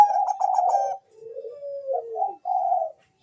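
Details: Bangkok zebra dove, a champion singer, used as a lure to make other doves answer and sing. A quick rolling burst of throaty coos, then lower drawn-out descending coos, ending on another rolling purr of notes.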